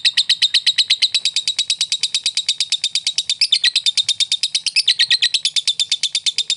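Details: Ngekek chatter of a fighter lovebird, meant to bait a rival bird into answering: a continuous, fast, shrill stream of clipped buzzy notes, about three per second, holding a steady level throughout.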